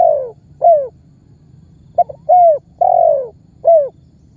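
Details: Spotted dove lure call of the calling (memanggil) type, used to provoke other birds into calling and to bring target birds toward trappers. The end of one phrase, then a full phrase: a stutter note, a falling coo, a long coo, a short coo.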